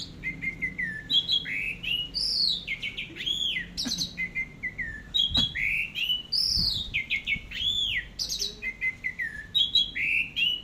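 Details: Orange-headed thrush singing teler style on a tutor track: loud arching whistles and slurred notes in a continuous varied flow, mixed with quick chirps and occasional clicks.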